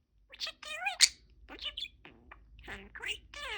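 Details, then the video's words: Pet budgerigar, a talking parakeet, cheerfully saying "peek-eek-a-boo" in a small voice: quick, high, raspy speech-like syllables with short pauses between phrases, indoors. "Talking Parakeet"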